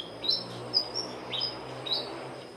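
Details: White-rumped munia in a garden in northeastern Thailand; thin, high chirps, four in under three seconds, with a steady low hum beneath.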